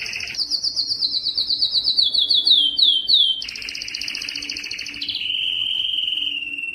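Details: A yellow canary sings a descending series of quick looping chirps repeated about three times a second, then a dense buzzy roll and a steady whistled trill.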